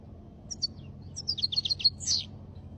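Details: Singing goldfinch: scattered high chirps, then a quick jumbled run of descending twittery notes ending in a brighter burst, all very high-pitched with little else heard.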